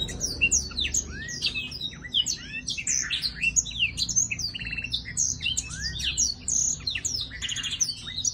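A black-throated laughingthrush sings a fast, continuous stream of high chirps, slurred whistles and twittering notes, richly varied and overlapping.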